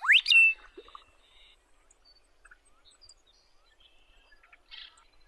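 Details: Singing on territory in Wyoming, a Western meadowlark opens with a loud rising whistled sweep that breaks into a slurred flourish, followed by quiet scattered notes and a brief buzzy burst toward the end.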